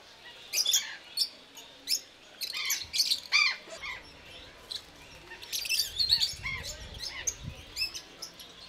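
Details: Rosy-faced lovebirds (Agapornis roseicollis) at Belgrade Zoo, Serbia, in October 2022 give shrill, high-pitched chirps and squeaky squawks in uneven bursts. Several birds overlap with steady chatter.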